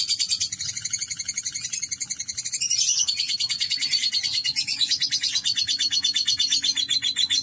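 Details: Long lovebird ngekek: an unbroken, quick chatter of high, scratchy notes that rise and fall in pitch, delivered roughly three per second.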